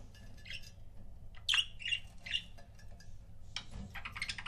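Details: Pet budgerigar couples: a few scratchy chirps and a louder sharp squawk midway, then softer chattering notes amid faint background rustle and hum.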